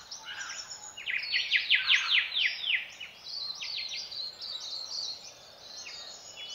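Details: Dawn birdsong in the Southwest featuring silvereyes: a loud burst of rapid, sweeping high chirps in a dense series, then softer scattered twitters from several birds.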